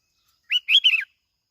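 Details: Bulbul song used as a lure, from Bình Thuận province in Vietnam: a single rapid phrase of warbled whistles, a short note followed by a rolling double note, clean and close.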